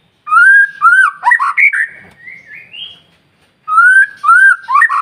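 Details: White-rumped shama singing a vigorous stimulation song to get other shamas singing: a fluty up-slurred whistle, quick warbled notes, then a soft rising trill, before the loud opening whistles return.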